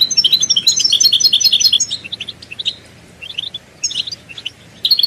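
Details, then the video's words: Goldfinch twittering intended to make caged males sing: a lively run of tinkling, bouncing notes, then sparser chirps and short phrases from more than one bird, over a hissy background. "بتبتة الحسون تحفيز الحسون على التغريد والهيجان علاج صمت الحسون goldfinch stimulation"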